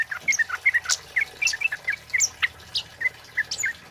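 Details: Male kemade (flowerpecker) singing loudly for use as a lure and tutor recording: sharp, high chirps and short ticking notes, many dropping or rising slightly, delivered in quick irregular bursts of two to four with brief pauses.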